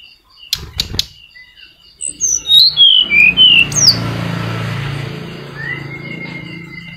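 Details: Flycatcher song played to coax silent caged birds: a few sharp clicks, then a quick cascade of loud, high notes stepping downward, followed by a thin rising whistle over low rumble.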